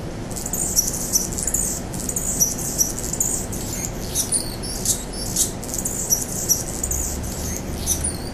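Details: Mature male Anna's hummingbird singing while holding his territory against rival males, mid-August 2009; the song carries two extra squeaky notes. Scratchy, buzzy, very high bursts repeat in quick runs, with a steady low rumble of background noise.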